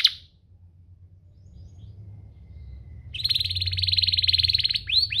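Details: Domestic canary song used as a master recording to train young canaries and coax them to sing: a quiet opening gap, then a dense, fast buzzy trill on one high pitch with a few upslurred notes at the end.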